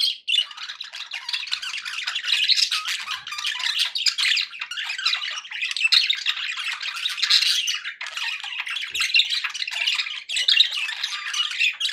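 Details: Contented budgies keep up nearly unbroken chirping and gurgling warbles, busy and high-pitched, for the whole stretch.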